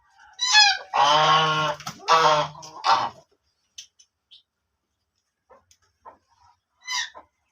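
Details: Black ducks giving two loud, long, buzzy quacks back to back, then near silence broken by a few faint calls and one short final call.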